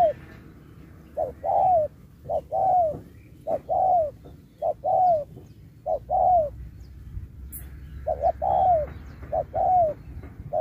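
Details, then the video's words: Contest spotted dove singing the 'Thúc kèm Bo' style: repeated phrases of one or two short hooting notes, each followed by a longer downward-curving coo, roughly one phrase per second with brief gaps. "Bài lối Thúc kèm Bo tráo trở nước như chim ngoại"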